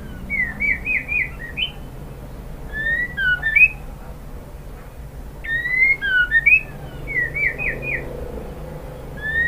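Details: Female white-rumped shama calling a male: softer, scattered whistled phrases of short rising and wavering notes, repeated in small groups over a faint background hum.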